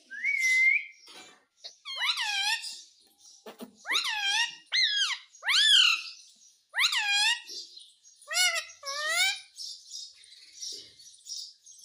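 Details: Indian ringneck parakeet kept as a pet, said to talk in Hindi with words like mummy and mitthu; a series of about eight squeaky, harmonic, bending calls, each under a second, delivered in quick bursts in a quiet room.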